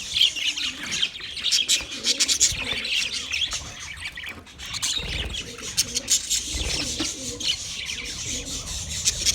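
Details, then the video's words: Budgie chirping: a steady high, scratchy chatter with scattered louder squawks, softer in the middle, and faint low cooing beneath. "sounds of budgies chirping"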